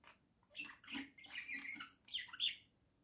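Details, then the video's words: Budgerigars kept as pets, one in its little house with the other beside it: a continuous buzzy, grating warble rises and falls, ending in two sharp high chirps. "волнистые попугайчики"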